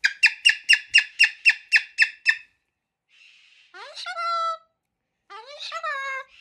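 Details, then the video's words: A male pet Moluccan cockatoo resisting being put in his cage for bedtime in the evening has a meltdown: a fast run of about nine harsh, scratchy chattering notes, then two drawn-out, nasal, pitch-bending squawks. "having a full-blown cockatoo meltdown, chattering away in a language only he understands"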